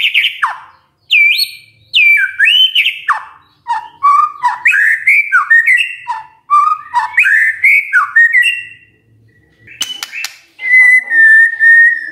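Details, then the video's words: Magpie-robin morning song used as a lure so that silent magpie-robins start singing in reply. Loud, rich whistled phrases in quick bursts with brief gaps: swooping, warbling notes, then a long steady high whistle near the end. Quiet background. "Pancingan PAGI PAGI AGAR MURAI GACOR❗ murai diam pasti ikut NYAUT❗❗"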